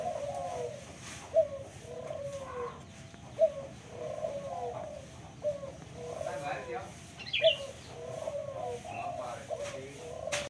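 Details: Local spotted dove giving soft low cooing phrases repeated about every two seconds, with faint voices and a few high chirps from other birds behind it.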